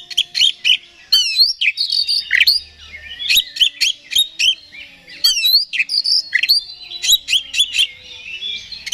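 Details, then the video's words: Oriental magpie-robin song used to provoke another bird into singing: high, varied whistles, sharp upslurred notes and scratchy trills in quick bursts. "Suara Pancingan Kacer Agar Cepat Emosi Gacor"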